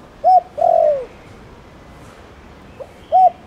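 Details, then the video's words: Thổ Đồng style spotted dove coo meant to prompt other doves to call: a short hollow note, then a longer sliding coo that falls away, and after a pause the next phrase begins. "Tiếng cu gáy Thổ Đồng gọi bổi nhanh gáy"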